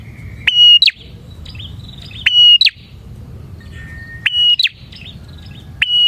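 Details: Song of a bar-winged prinia, used as a lure for other prinias. Repeated loud whistled notes with quick chip endings arrive about every two seconds, with softer twittering between phrases and a low hum underneath.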